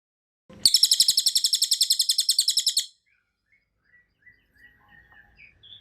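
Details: Cililin or cucak kinoy in an ngebren-style training recording for songbirds, singing actively: one dense, high buzzy trill of rapid even pulses lasting about two seconds, then faint scattered soft chips in near silence.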